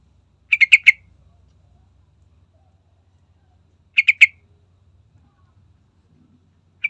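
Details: Sooty-headed bulbul (trucukan) lure recording meant to provoke singing: short bursts of three to four rapid, harsh chattering notes, repeated about every three and a half seconds, with faint low hum between.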